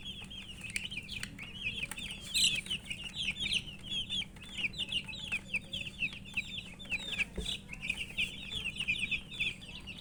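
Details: Many colour chicks calling out of thirst for water, a relentless stream of high, sharp, downward-slurred peeps from numerous birds at once, rhythmically pulsing, over a faint electrical hum and a single thud late on.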